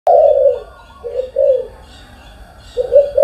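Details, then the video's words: Spotted dove cooing in the morning: a soft, hollow low coo opens, two shorter coos follow around the middle, and another begins at the end, with quiet pauses between. "cu gáy sáng"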